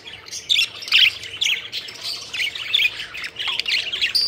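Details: Playful budgerigars flying about, chirping: rapid, uneven run of harsh squawky chirps and warbles, several per second, overlapping in a lively chatter.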